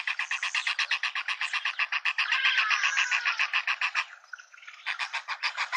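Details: Juvenile hornbill with its parents in a suburban Pretoria garden, South Africa, giving long runs of rhythmic, reedy, pulsed notes, roughly four per second. A brief pause comes near the middle before the steady beat resumes.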